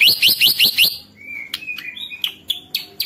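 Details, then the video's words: Caged white-rumped shama song used to stir rival shamas to sing: five quick upslurred chirps in a burst, followed by a level whistle and scattered sharp clicks and chips. "MURAI BATU GACOR ampuh buat pancingan murai batu agar bunyi"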